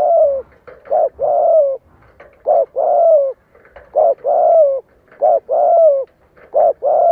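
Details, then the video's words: A caged spotted dove used as a decoy to draw wild doves in to fight calls steadily, repeating phrases of short hooting notes and long falling coos, about 45 notes a minute, with nothing else heard. "TIẾNG CHIM CU GÁY MỒI CHUẨN GÁY GÙ THÚC KÍCH BỔI VỀ ĐẤU CỰC HAY"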